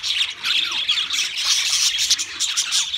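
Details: Pet budgerigars singing together, a dense, continuous high chatter of scratchy warbles and squeaky chirps with no pauses.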